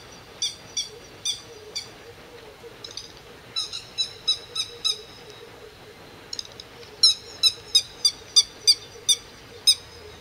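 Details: Grey-headed lapwing attacking a grey heron and ducks at low height over its territory, 08:20 on 31 May 2011. Sharp, metallic kik notes come in quickening series, ending in a loud, regular run of about ten calls.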